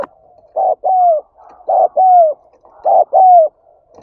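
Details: Spotted dove luring call, with three close double coos: a short hollow note, then a longer note sliding downward, with faint soft cooing between phrases.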